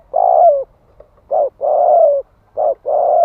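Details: Spotted dove in thúc gù style, cooing to rouse males: loud, steady low coos in a run of five, long notes alternating with shorter ones and brief gaps, sliding slightly downward at their ends.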